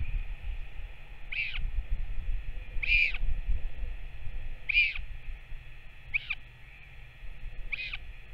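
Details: Northern royal albatross, a returning parent feeding its chick, 21 May 2024: five short, evenly spaced chirping calls, roughly every one and a half seconds, with steady wind noise beneath.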